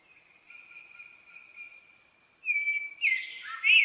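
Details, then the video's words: Blackbird song beginning with a quiet drawn-out steady whistle lasting about two seconds, followed by louder warbled notes and a scratchy high twitter at the close. "Blackbird song"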